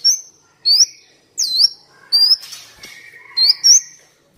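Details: Kolibri Wulung sunbird in a lure and training recording; loud high upslurred whistles given singly or in pairs, roughly every second, with faint lower notes between.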